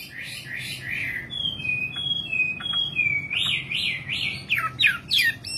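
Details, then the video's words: Singing nightingale giving a varied phrase: chattering notes, then long pure whistles held level, followed by fast looping slurs and sharp high flicks, steady low background hum. "Singing nightingale. amazing bird song"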